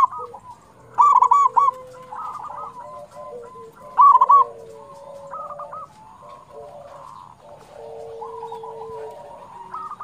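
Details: Zebra dove, local type, singing to prompt others: two loud rolling coo bursts near the start, then a long stretch of softer cooing and a low steady note from other doves.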